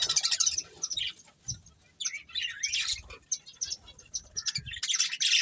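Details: Colourful pet budgerigars chirping while eating; busy, overlapping high chattering chirps and warbles in irregular bursts, with soft low knocks and rustles beneath.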